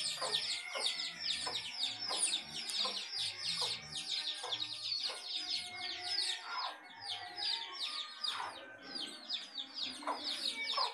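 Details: House hen accompanied by chicks; continuous shrill falling peeps from many chicks pour out over eleven seconds, with short low clucking notes from the hen scattered beneath them.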